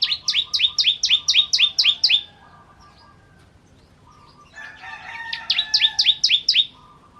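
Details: Bar-winged prinia, known as ciblek kristal, singing energetically: two rapid bursts of about a dozen sharp, rising, chirped notes, separated by a quieter stretch with lower, drawn-out tones.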